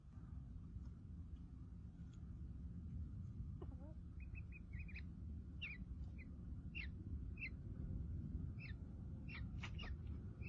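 Houbara bustard chicks give short, high peeping notes in scattered bursts, several a second at times, over a steady low rumble of wind or engine noise.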